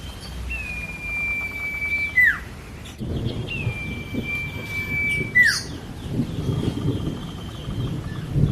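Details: Common iora, known as cipo, singing eagerly for a songbird-training master recording: two drawn-out steady whistles, each finishing with a quick dropping note, roughly three seconds apart, plus a low rumble and faint background chirps.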